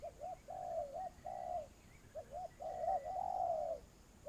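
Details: Spotted dove used as a ground decoy to lure others during trapping, giving low mellow coos: two short notes then longer drawn-out ones, the phrase heard twice, ending on a brief note, over a quiet hissy background.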